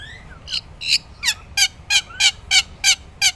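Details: Gacor black-winged myna, recorded as master material for tutoring songbirds. Faint sliding whistles lead into a steady series of loud, raspy notes spaced about a third of a second apart.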